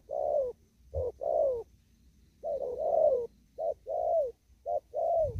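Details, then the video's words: A spotted dove cooing in the 'đồng thúc gù' style while still out in a field: short coo plus long falling coo pairs, about four of them with a gap in the middle, and faint low rumble behind. "Cu Gáy. Đồng thúc gù."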